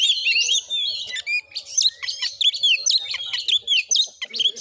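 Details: Kacer (Oriental magpie-robin) fighting song, recorded in Padang Gading, Muko Muko, Bengkulu: rapid busy sequence of sharp whistled and scratchy notes, some rising slurs, with a faint low hum underneath.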